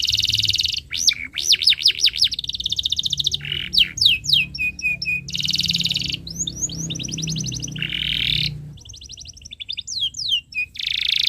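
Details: Vigorous canary song for young birds to learn from: buzzy rolls alternate with looping sweeps and rapid rattling trills across eleven seconds, over a faint low hum.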